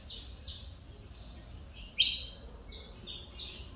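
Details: Mineirinho saffron finch, still full of pin feathers, returning to song after almost two years with stuck plumage. Short runs of quick, buzzy, downward-sliding chips, with one sudden loud, harsh note midway.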